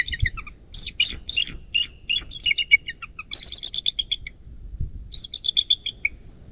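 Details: Nest-cam recording of a Bald eagle beside the Little Miami River in southwest Ohio, USA, 11.04.2024, 19:34: shrill, rapid series of high piping chirps, stuttering in quick runs with brief gaps, faint low rumble beneath.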